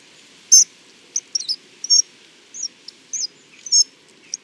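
Hawfinch song: sparse, high, sharp ticking and squeaky notes given in an uneven, halting series, over a faint low background hum.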